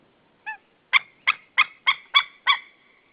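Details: White-tailed eagle at its nest at Saunja, Estonia, 16 March 2013, screaming; a short thin note, then a run of five loud yelping notes with harmonic bands, spaced about a third of a second apart, in an otherwise quiet setting.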